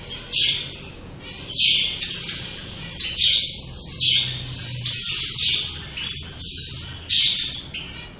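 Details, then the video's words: Several shaft-tailed finches chirping, high nasal notes repeated irregularly about once a second, some doubled, over continuous quieter chatter and a slight low hum. "Shaft-tail finches"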